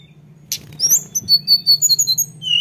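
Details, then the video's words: Ngeroll, or rolling song, of a lesser shortwing: a sharp opening note, then a rapid series of thin, high whistled notes repeated in quick succession over a steady low hum. "dengar tledekan ngeroll ini"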